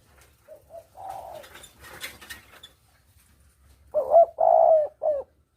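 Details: Spotted dove lure call, double-kuk style, used for hunting: soft scattered coos and a burst of rustling noise, then one loud clear phrase of rising coo, sustained coo and short final note.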